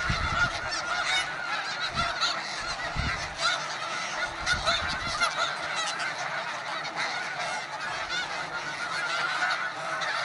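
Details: Snow geese in a huge Arctic breeding colony of several hundred thousand birds: a dense, continuous uproar of overlapping nasal honks and yelps, many voices at once with no pauses, occasional low thumps.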